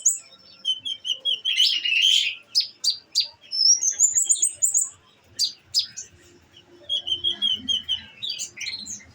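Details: Olive-backed sunbird kept in a cage and given nectar, singing: sharp high chirps, a thin rising whistled sweep, then a buzzy burst of notes and more scattered tweets with brief gaps between phrases.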